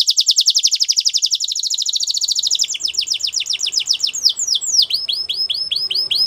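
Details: A white Belgian canary sings a fast high rolling trill that breaks into quicker sweeping notes and then slower, repeated, deep downward whistles.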